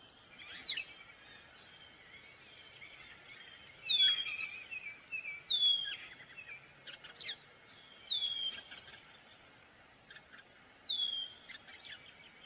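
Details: Gray catbird singing: bright, sharply down-slurred whistled notes mixed with short harsh chips, delivered in separate bursts roughly every two to three seconds, with a steady faint tone and quiet background.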